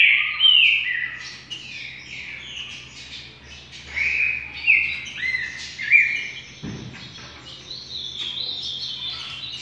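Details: Rufous-collared sparrow delivering 'trinca' song phrases: clear high whistles, downslurred and upslurred notes, some quick trills, in irregular bursts with quieter gaps, a brief low thump midway, and faint steady hum.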